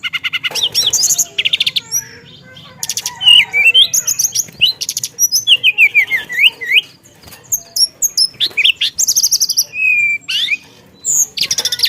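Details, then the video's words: Caged songbird kept for singing, in a lively varied song: bursts of high buzzy rattles alternating with clear whistled slurs and rising notes, delivered in rapid phrases with brief pauses. "Burung Teledekan Gacor Dorr Ngeroll Isian"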